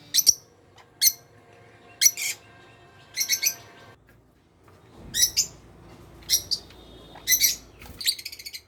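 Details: Lutino opaline lovebirds in an aviary: sharp, harsh, high chirps in short bursts of one to three, repeated about every second across the clip, with a faint steady hum beneath.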